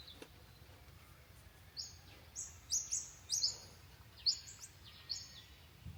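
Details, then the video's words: Birds chirping at a cabin by a lake: short, very high, sharp chirps in scattered bursts, some paired, over quiet background hiss. "Birds chirping"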